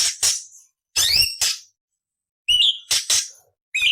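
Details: ["Cucak cungkok song used as a master recording to train murai, cucak ijo and kacer songbirds, in harsh rasping 'beset nyerecet' variations: broad buzzy bursts alternating with short clear whistled notes, in separated phrases with silent gaps."]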